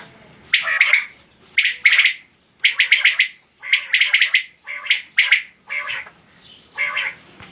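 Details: Common quail calling, recorded in 2020: short bursts of rapid, clipped liquid notes repeated about once a second, each burst a quick stutter of several notes, separated by brief silences, with no other sounds.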